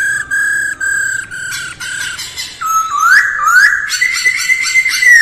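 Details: A masked laughingthrush in early-morning voice practice gives a run of short, even whistled notes, then breaks into louder rising, slurred phrases, rich and fluty.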